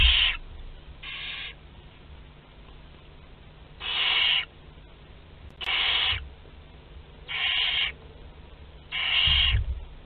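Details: Six spaced hoarse hisses, each about half a second, from Barn owl young two to twelve days old during a shared feeding in Théding, France, 29 April 2021, with soft low bumps between.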